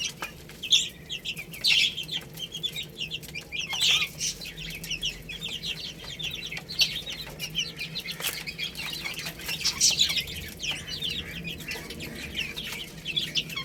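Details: Baby chickens eating rice, a flock of chicks giving many overlapping high, thin chirps, some louder downslurred peeps standing out near the start and middle, with scattered sharp clicks and taps throughout and a low steady hum.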